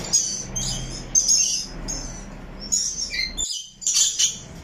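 Rainbow lorikeet giving a run of shrill, high chirps and screechy bursts, clustered in quick bouts with brief pauses; a low hum sits underneath.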